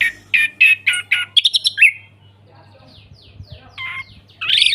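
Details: Orange-headed thrush in full open ngeplong song, a recording meant to prompt silent thrushes to answer: five loud, rich phrases, then a quick run of notes, a pause with faint chirps, and a high burst at the end over a steady low hum.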